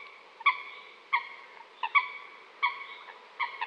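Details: Clear single coot calls, abrupt harmonic notes repeated roughly every seven tenths of a second, some in quick doubles.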